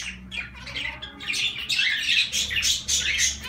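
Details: Zebra finches chattering, quiet at first, then dense, rapid nasal call notes overlapping steadily for the last two seconds.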